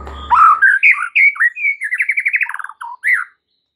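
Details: White-rumped shama lure song: a rising whistled phrase flows into sweet slurred notes, then a fast, even trill of about a dozen pulses and a final upslurred whistle.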